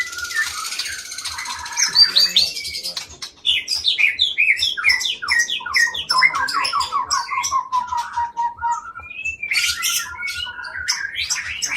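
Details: Caged white-rumped shama of Aceh stock, Indonesia, long-tailed and bred for loud, varied, well-ordered song, gives a hissy buzz, then descending series of quick whistled notes and clicking chatter, steady faint ticking beneath.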